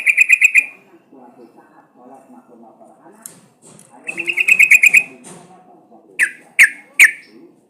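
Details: Sooty-headed bulbul used as a lure so birds start singing: a short rapid burst of notes, a longer chattering run of about a dozen notes, then three sharp single calls spaced evenly, with a soft low murmur.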